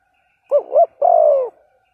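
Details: Single phrase from a spotted dove decoy bird calling to provoke a rival: two quick wavering coos followed by one longer, smoothly falling coo.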